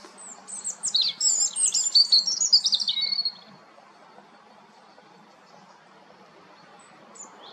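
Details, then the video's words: European robin delivering one bright, rapid song phrase of high twittering notes and trills that descends slightly at its end, followed by several seconds of near silence. "roodborst zang малиновка robin Rotkehlchen rouge-gorge"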